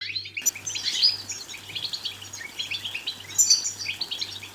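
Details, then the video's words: European goldfinch song played to stimulate other goldfinches to sing and mate: rapid, dense tinkling twitters and chirps, with brighter bursts near one and three and a half seconds, over a steady pulsing low hum. "بتبتات لتحفيز الحسون على الغناء والتغريد بصوت قوي"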